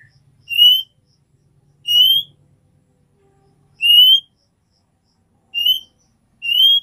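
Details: Female oriental magpie-robin, kept as a cage bird, calling to the male with a 'nyiul' call: a clear rising whistle, short and bright, repeated five times at uneven gaps of one to two seconds. Faint low hum underneath.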